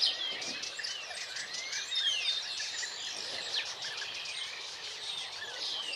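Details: European bee-eater, a spring visitor to Extremadura, Spain: several curved, rolling notes that rise and fall, overlapping one another against a constant high-pitched wash of chirping and insect-like buzzing.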